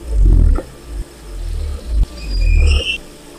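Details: Three deep, resonant booms from a wild cassowary, each swelling and fading, separated by short pauses. A brief high-pitched bird chirp comes near the end.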